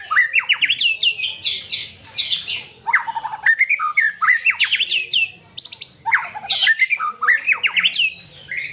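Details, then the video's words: Aceh white-rumped shama with a companion bird, pouring out a loud, dense, varied song of rapid whistled sweeps and sharp chattering notes, phrases following one another almost without pause. "Murai Aceh + Punya Teman"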